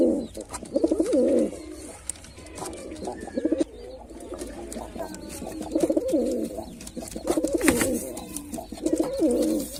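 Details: White male pigeon in display, repeating low throaty coo phrases roughly every one to two seconds, each with a rolling, bubbling onset, indoors with faint clicks and soft chirping in the background.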